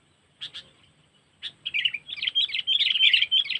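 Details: Sooty-headed bulbul lure sound for catching birds, cengkeram type from Lampung. Two sharp notes and a pause lead into a continuous, lively stream of warbling chirps that grows louder toward the end.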